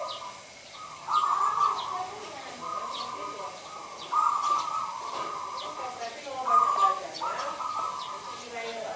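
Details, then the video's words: Local zebra dove (perkutut lokal), kept as a singing bird, heard as sustained, rolling mid-pitched cooing phrases that repeat several times. Steady background hiss throughout. "Perkutut lokal gacor Merbok Turtledove Zebra dove"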